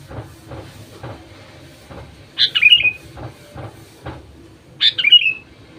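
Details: Sooty-headed bulbul singing as a lure for lazy or quiet bulbuls: two quick, liquid phrases dropping in pitch, roughly two and a half seconds apart, over a steady backdrop of soft thuds and clicks.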